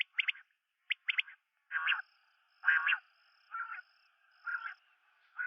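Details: Common quail calls: rapid sharp three-note bursts, then broad, harsh, buzzy notes repeated roughly once a second, with a faint steady high tone above.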